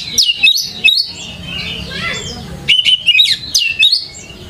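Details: Lure singing of an Oriental magpie-robin (kacer) to prompt others to answer: quick bright chirps and whistles, a softer scratchy mumbling passage in the middle, then a renewed series of crisp rising-falling whistles.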